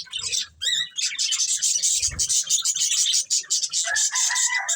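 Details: Two breeding budgerigars chirping: busy, high, crackling warble with quick twittered notes, a dull thump near the middle, and lower whistled squeaks toward the end.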